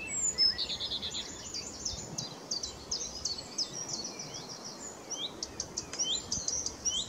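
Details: Blyth's reed warbler singing at RSPB Middleton Lakes on 21 June 2021: a long, varied, high-pitched run of chattering and whistled phrases, many notes repeated several times, delivered continuously with little pause.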